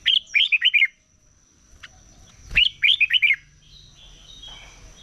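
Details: Morning competition song of a red-whiskered bulbul kept for voice training: two short phrases of four or five quick, bubbly whistled notes about two seconds apart, separated by a lone chirp, then quieter chatter.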